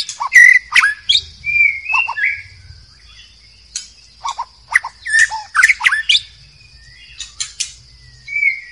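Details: A wild white-rumped shama in forest sings a varied run of rich whistles, sharp chips and fluty phrases in bursts, over a steady high insect whine.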